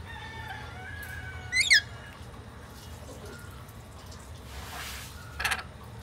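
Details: On 10 April 2024, a Swainson's lorikeet gives a brief, harsh, high screech, then a softer scratchy note a few seconds later, over a steady low background hum.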